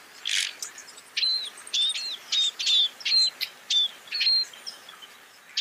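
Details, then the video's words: Scaly-breasted munia calling: a series of thin, high, clipped notes, each with a short downslurred whistle, repeated about every half second after an initial louder chirp; quiet background. "Scaly-breasted munia sound (صدای فنچ پاکستانی)"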